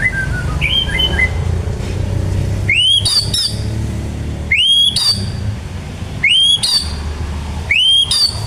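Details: White-rumped shama in ngebren singing with ciblek (prinia) mimicry: loud upswept whistled notes repeated about every one and a half seconds, after a few softer descending whistles, against steady low background hum.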